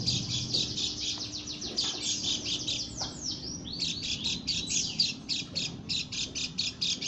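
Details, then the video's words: Lombok white-eye, female, producing an odd call: rapid bursts of thin, high chirps and twittering, with a few slurred downward sweeps midway, continuing almost without break. "burung pleci lombok suara aneh"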